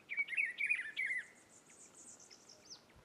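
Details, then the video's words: Rufous-browed peppershrike in the caatinga of Rio Grande do Norte, Brazil, sings one rich, warbling phrase of quick slurred whistles lasting about a second, followed by faint high insect-like buzzing. "Pitiguari cantando muito"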